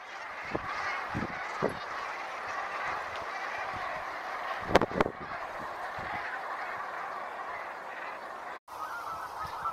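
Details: A flock of brent geese on the River Exe keeps up continuous rolling, throaty chatter from many birds at once. Occasional sharp tapping knocks cut through, and there is a brief dropout near the end.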